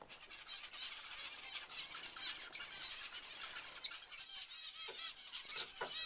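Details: Zebra finches chattering with many short nasal honks and beeps, punctuated by wingbeats and a few sharper clicks near the end.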